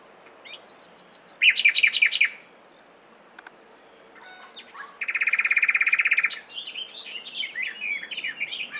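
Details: Common nightingale singing varied phrases: a fast rising trill, a pause, then a loud buzzy churring rattle, followed by tumbling, twittering notes.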